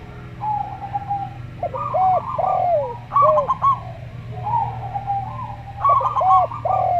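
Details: Slow-singing local zebra dove, vibrating trills and staccato notes at mid pitch, paired with a Javan derkuku's gentle arched coos in turn; steady low-frequency hum beneath.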